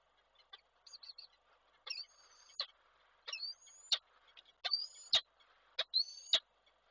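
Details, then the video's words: Unringed male peregrine falcon calling the female at Koszalin, Poland, on 23 December 2023, recorded from an online nest camera; faint, repeated rising whistled notes, each ending in a sharp click, about one per second, over low background hum. "samiec Nilę woła"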